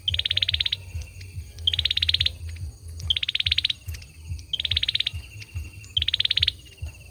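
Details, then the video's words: Singing male olive-backed sunbird: five fast, rasping trill bursts, each opening with a short clear note, spaced about one and a half seconds apart, over a persistent low hum with faint clicks. "Tiếng sâu dừa trống hót"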